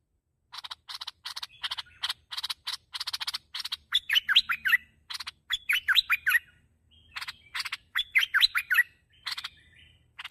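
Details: Bulbul (merbah) sound for luring birds: dry, crackling rattles repeated rapidly, alternating with short bubbly phrases of slurred, rising and falling whistles, several phrases over ten seconds, with a faint low hum behind.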